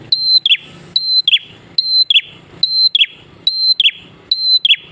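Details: Prinia singing energetically, recorded for use as a lure to get other prinias singing: a steady high whistle, then two quick descending chirps, the phrase repeated about every 0.8 seconds over a faint low hum.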